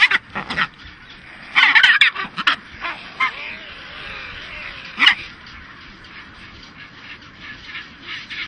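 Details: Chinstrap penguin (Pygoscelis antarcticus), aggressive call: driving off a skua.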